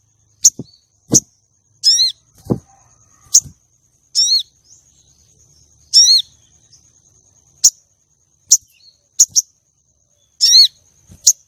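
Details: Female common iora calling to lure and arouse a male for song contests: sharp high chips alternate with buzzy, down-slurred harmonic notes, about twelve notes in eleven seconds, with soft low thumps between them.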